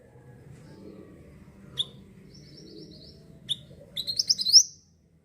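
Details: Olive-backed sunbird, known locally as mantenan, singing vigorously to attract birds: two spaced sharp high chirps and a faint twitter, followed by a loud rapid string of high buzzy rising notes that stops suddenly.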